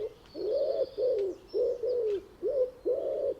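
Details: A common wood pigeon gives its soft, husky cooing song, a phrase of five or six low, hollow notes with brief gaps, steady and rhythmic.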